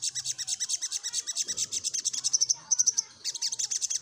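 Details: Rolling 'nyecret' song of a little spiderhunter seeking a rival. Fast sharp chips come about twice per second and blur into a rattle. A brief thin whistled trill fills a short pause before the chipping resumes.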